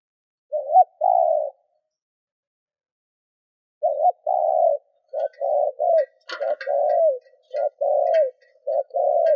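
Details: Spotted dove lure bird cooing to attract other doves: two-part coos, a short warbled note then a longer level one near 600, repeated in bursts, with faint clicks and bird chirps in the background.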